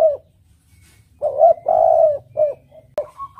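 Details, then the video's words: Spotted dove (tekukur) song used as a lure: one low phrase of short coo, drawn-out rolling coo and two short closing notes, ending with a sharp click and a brief higher tone. "Suara Burung Tekukur Merdu Jenih | The sound of the turtledove is melodious and rich"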